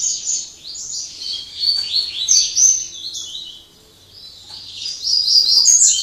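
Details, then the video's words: A Double-collared seedeater sings in the late afternoon after singing all day: a fast, sweet run of high twittering and buzzy notes, a brief mid-way pause, then another rapid burst, over a faint low hum. "Coleira cortando canto Máquina"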